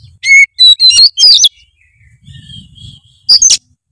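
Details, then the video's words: Oriental magpie-robin 'gacor full isian' lure song: four strong, ringing whistled notes in quick succession, a soft murmuring lull with low background rumble, then one final bright burst. "kacer gacor full isian memancing kacer malas bunyi menjadi gacor"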